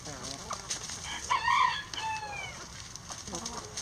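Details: Cock-a-doodle-doo from a rooster in a coop where hens are eating eggs. One loud harmonic crow lasts about a second, with a rising then sustained shape, framed by short hen clucks before and after.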